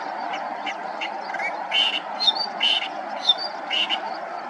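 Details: Clamorous reed warbler singing: harsh, croaky chattering notes with a few sharper squeaks, about two per second in uneven bursts, over a steady low rushing background.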